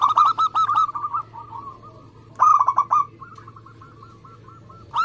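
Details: Zebra dove of local Indonesian stock, singing to draw other doves to sing: a quick run of staccato notes, a soft trailing series, another burst, then gentle spaced notes.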